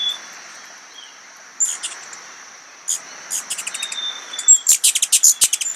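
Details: A Ruby-throated Hummingbird, feeding on nectar with pollen on its face, gives thin, very high chip calls, scattered at first and then a quick run of about a dozen, over a steady high insect-like whine.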